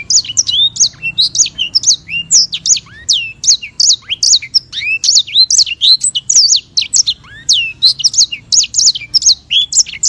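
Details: Ten seconds of dense, continuous sanger song, the African white-rumped seedeater, in the long rolling style prized for training songbirds: high, quick whistles and twittering slurs chained together, with a few lower downslurred notes.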